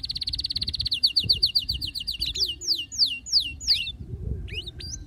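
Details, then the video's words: Male canary in a frenzied singing mood delivers a fast, even trill of sharp chips that slows into louder, sweeping whistled notes, each one falling or rising. Faint low rumble behind. "هيجان ذكرى كناري سيجبر كناريك على التغريد فورا"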